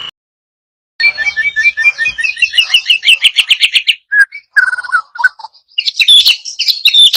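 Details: White-rumped shama pouring out a fast rattling trill of repeated notes, then lower whistled phrases and a high chattering burst at the end.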